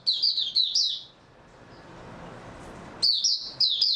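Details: A white-eye (mata puteh) on 3 March 2022 delivers quick, high, jumbled twittering phrases, one at the start and another after a two-second pause, over faint room noise.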